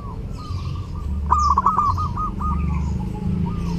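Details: Zebra dove singing actively at Eid for tutoring other birds: one rapid, stuttering phrase of level coos in the middle, set against a loud low rumbling hum and faint background chatter.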